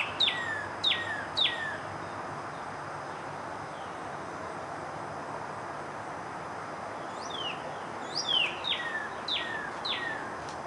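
Cardinal giving loud, clear whistled notes that slur sharply downward. Three come quickly at first, then a faster run of five or six, over a steady hiss.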